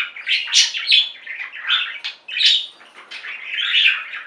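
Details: Several caged budgies singing: busy, grating chatter mixed with clear short whistled notes and chirps, rising and falling in quick uneven bursts.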